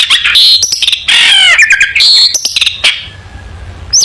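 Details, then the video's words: Long-tailed shrike singing, used as tutor song for teaching young shrikes: a dense, loud run of varied notes, with rich harmonic whistles, buzzy chatter and sharp rising chips crowding together with few pauses. "Burung Cendet Gacor full masteran cocok untuk masteran cendet muda Belajar Bunyi"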